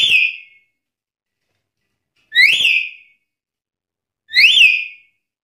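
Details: Black-capped lory singing in a challenge to rivals: three loud whistled notes that rise, then sweep down, each a clear slurred phrase, repeated about every two seconds with silence between.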